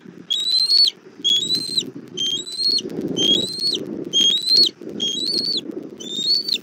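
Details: At a Southwest Florida bald eagle nest, the mother brings a little food to her chick at 17:30, 1 April 2024; seven sharp high whistles, each rising slightly then dropping at the end, come about once a second over a low rumble.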